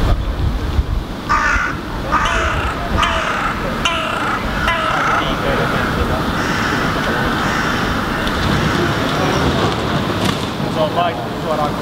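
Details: Two Eurasian jackdaws in Helsinki, Finland, in July 2015, feeding on grass seeds and turning over clumps of moss, give short, abrupt "chak" calls in scattered bursts over a steady low rumble of traffic and some human voices.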